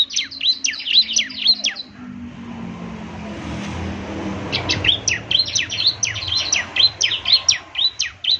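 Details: Bar-winged prinia, a semi-mature bird singing energetically, used as a morning playback to prompt others to reply. High, quick slurred chirps open the clip, a passing vehicle rumbles through the middle, then the rapid chirping resumes.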